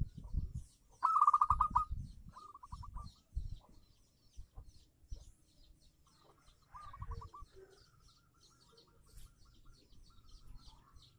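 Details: Local zebra dove singing, used as a lure for doves that have stopped singing: several bursts of rapid, bubbling cooing trills, one starting loud and fading, separated by pauses, with soft thumps and faint high chirps from other birds.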